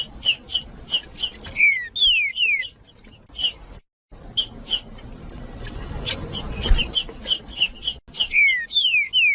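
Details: Green-winged saltator song used to warm up and stimulate other saltators: clear whistled slurs falling from high to mid pitch, mixed with quick repeated bright chirps, against a steady high hiss and a brief silent gap.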